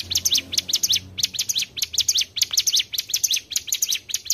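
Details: Trapping-lure song of a mountain tailorbird, short bursts of shrill, rapidly sweeping chirps delivered in quick pairs and triplets, around seven bursts a second, over quiet low rumble.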